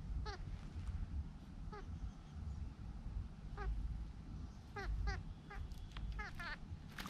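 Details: Large grey babblers, filmed while bathing, give short, nasal, downslurred notes, singly and in quick bursts of two to four, over a steady low rumble of background noise.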